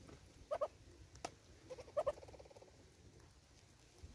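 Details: At a bird feeder in South Africa, a Southern red-billed hornbill gives two clear doubled clucks about a second and a half apart, the second followed by a short fading series of softer clucks, over quiet background.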